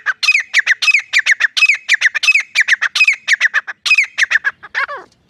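A grey francolin gives loud, harsh, squawking notes in a rapid run of about five per second, ending in a falling, trailing note.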